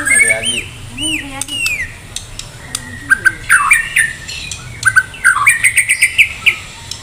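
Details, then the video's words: White-rumped shama of the Medan type, singing vigorously with a full repertoire before a contest: looping whistled notes, downslurred calls, then a fast run of sharp, ringing chips and trills repeated rapidly over several seconds. "murai batu medan gacor siap ikut lomba || murai batu gacor full isian"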